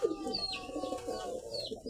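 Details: Domestic white High Flyer pigeons kept at a home loft, giving low, throaty cooing in soft rolling pulses with faint higher chirps from other birds in the background.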